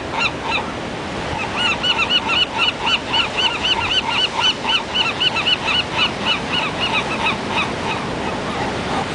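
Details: Seagulls at Pismo Beach giving a rapid series of harsh, nasal yelping calls, many per second and loudly repeated, over a constant roar of breaking waves.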